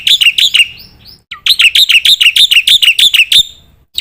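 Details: Black-winged myna singing for a training recording that prompts birds to sing: a rapid run of sharp, high chirps, a brief pair of thin slurred whistles, then a steady series of about twelve loud, clipped notes.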